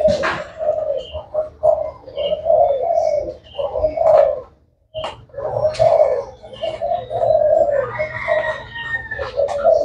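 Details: Spotted dove of the black Thai type, said to sing all day long: repeated low, hoarse cooing phrases with a brief pause midway, while small birds chirp and whistle faintly in the background.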